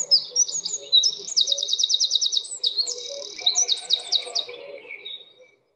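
A Eurasian Wren pours out a loud, very fast song of high ringing notes and rapid trills, packed tightly for over five seconds, with a faint low hum beneath.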